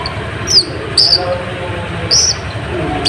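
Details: Olive-backed sunbird (kolibri ninja) song used as a lure for rival birds: short, buzzy, very high notes repeated about every half second to second, with soft background noise.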